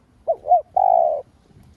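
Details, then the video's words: A spotted dove used as a lure to excite other doves gives one full phrase: two quick rising hoots, then a long smooth coo lasting about half a second. "Cu gáy mồi cây gáy gọi thúc ,gù bổi hay. tiếng cu gáy mồi cây kích bổi hiệu quả, cu đất gáy"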